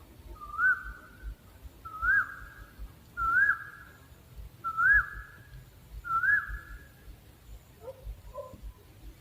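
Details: Owl giving five clear whistled notes, each sliding upward then dropping, spaced about every 1.4 seconds, followed by faint short calls near the end over a low background hum.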